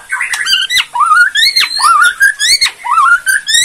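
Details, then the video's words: White-rumped shama from Borneo in a loud, rich song of rising whistled slurs and sharp downward sweeps, phrases running back to back with harmonic overtones and short pauses between. "KRETEKAN MURAI BORNEO PEMBANGKIT EMOSI // HITUNGAN DETIK MURAI MANAPUN LANGSUNG NYAUT BUNYI NGEPLONG"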